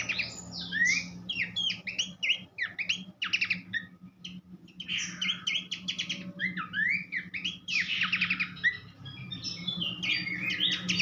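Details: Horsfield's babbler producing an elaborate tutor song for training songbirds: long continuous mix of sharp chirps, buzzy rattles and sweeping whistles, steady low hum throughout.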